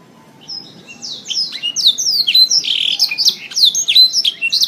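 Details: Canary song recorded for training songbirds: starts quietly, then builds into rapid repeated downslurred high whistles and chirps, roughly three per second, loud and continuous.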